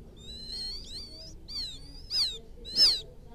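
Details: Quail chick's call to its mother: soft, wavering high whistles, then two louder downward-sweeping peeps near the end, over a faint low rumble.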